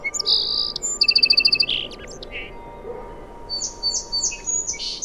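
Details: Song sparrow singing: a few high clear opening notes, then a quick run of about nine evenly spaced clipped notes, some lower rough notes, and a closing string of high buzzy slurred phrases over a faint steady hum.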